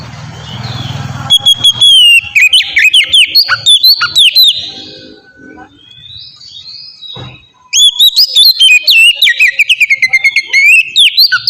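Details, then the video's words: Oriental magpie-robin song used as a lure to get captive birds singing: loud bursts of varied whistles and sharp chirps at two to four kilohertz-range pitch, a quieter gap midway, then rapid repeated notes again. "suara burung kacer ngeplong gacor sangat ampuh buat pancingan kacer bahan bikin cepat gacor"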